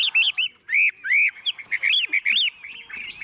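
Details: Chinese hwamei kept in a cage in Vietnam, a tame bird, delivering loud clear arched whistles in quick separate bursts, some rising and falling, with short pauses between.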